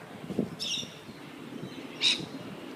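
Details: Sulphur-crested cockatoos, two tagged birds in Sydney's Royal Botanic Gardens, playing with a coffee cup; a raspy screech followed after a pause by a short, loud squawk, with soft low knocking sounds.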